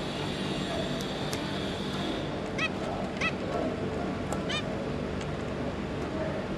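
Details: Zebra finch family of two adults and three juveniles, 5 August 2022: short, bright, nasal calls given singly and in pairs at intervals of about a second, over a steady background hum.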